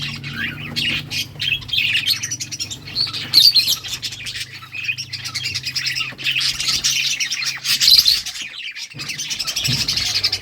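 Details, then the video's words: Budgerigars playing, their continuous grating chatter and twitter filling the clip, with a brief pause near the ninth second and a low hum underneath. "Budgies playing and chirping"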